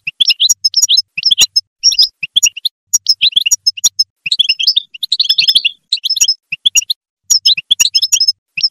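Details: Goldfinch singing to motivate other goldfinches, a chattering run of quick high twitters and chirps in short clustered bursts separated by tiny gaps, punctuated by sharp clicking ticks.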